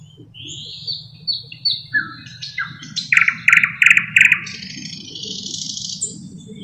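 Thrush nightingale song: varied whistled and chirping phrases, then a loud run of four rapid chattering bursts, ending in a high thin rising trill over a low hum.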